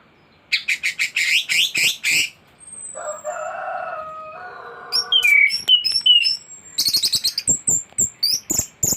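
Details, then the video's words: Singing thrush, its repertoire packed with borrowed phrases: fast stuttered notes, then a lower buzzy, nasal passage like fowl clucking, followed by high squeaky slurs and more quick chips. "Anis gacor teler isian komplit materi masteran burung anis pancingan bunyi"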